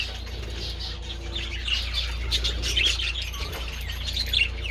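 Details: Budgies enjoying treats in sunshine on 27 February give gentle high warbling and chirping chatter with a few whistled notes, over a constant low background hum.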